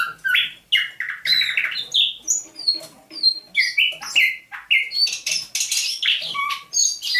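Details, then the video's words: Dawn singing on 27 November 2021 by a captive thrush nightingale, caught near St Petersburg in May 2019: clear, varied whistled notes, some rising and some falling, with short buzzy bursts between them. "Пение восточного соловья на рассвете."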